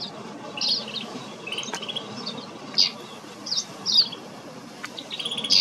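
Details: Snow bunting at Kananaskis, Alberta, Canada giving high buzzy rattles and brief trilled notes, spaced irregularly, with steady background hiss throughout.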